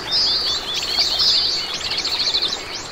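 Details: Oriental greenfinch, a common resident bird found across Korea, gives continuous busy twittering of high, rapid chirps and short trills over steady outdoor background noise.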